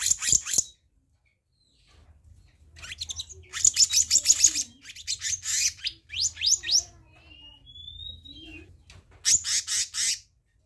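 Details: Black-naped monarch heard in repeated rasping, scolding bursts. Faster stuttering chatter runs through the middle, broken by a single thin rising whistle.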